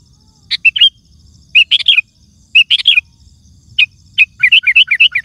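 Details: Lively sooty-headed bulbul song meant to call wild birds and set other bulbuls singing: short chattering, warbled phrases repeated about once a second, ending in a fast run of bright, bouncing notes. Quiet background.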